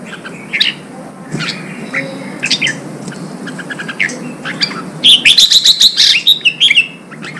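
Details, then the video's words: Caged red-whiskered bulbul singing in Vietnam, its song played to stir fighting spirit: scattered bright chirps and warbled notes early, then a dense burst of loud, rapid repeated whistled phrases near the end. "Kích chào mào bổi đấu, luyện chào mào sổ giọng, kích chào mào căng lửa"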